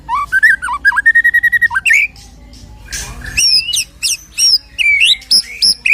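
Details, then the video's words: White-rumped shama song played to provoke a shama into singing; opens with a fast run of rhythmic rising whistled notes, then a pause and varied sharp, bright whistles and chattering phrases. "MURAI BATU KENA MENTAL \FIGHTER KEMBALI SAAT DENGAR KICAU ISIAN INI"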